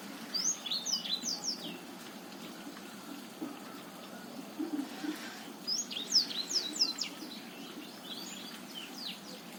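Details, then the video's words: Botswana black-throated canary, used to stir a quiet male to sing, delivering two bursts of quick high twittering and slurred whistles separated by a pause of several seconds, over low background hum. "Blackthroat Botswana cocok buat pancingan Blackthroat males bunyi"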